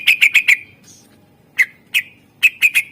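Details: Greater green leafbird singing a full, varied song meant to lure other birds: quick bursts of sharp whistled chips, a gap, then loud ringing notes in uneven groups.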